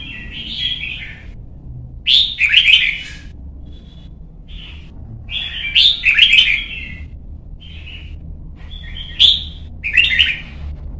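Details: Red-whiskered bulbul, a young bird being trained to sing for competitions, repeats short bursts of rich warbling whistles every few seconds, mixing clear notes and chattering trills, with quiet background hum between phrases.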